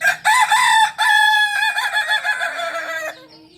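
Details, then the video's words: Balenggek singing rooster, native to Solok and bred in Solok city: loud crow opening with short notes, then a long wavering stepped phrase lasting about two seconds before stopping abruptly. "Ayam kukuak balenggek ayam penyanyi asli solok"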